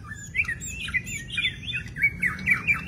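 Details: White-rumped shama with a very long tail singing in the wild: a quick, varied run of chirpy, squeaky whistled notes that rise and fall, over a low rumbling background.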